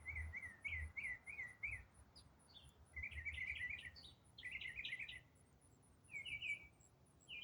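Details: An unidentified songbird in autumn, singing one complex uninterrupted song for minutes, nearly daily at the same time for over a week, gives fast bursts of bright, chirpy notes in rising and falling twittering clusters, over low wind or handling rumbles.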